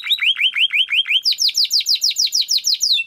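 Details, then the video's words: Timbrado canary song for training. Rapid upward-swept notes repeat about seven times a second. The series steps up in pitch midway and continues evenly to the end. "Υour canary will sing UNSTOPPABLY"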